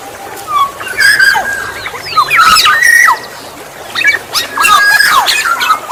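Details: Black-naped oriole (kepodang emas) voice used as a lure for wild orioles: repeated whistled flute-like phrases alternating with harsh grating notes, in three clusters separated by brief quieter gaps.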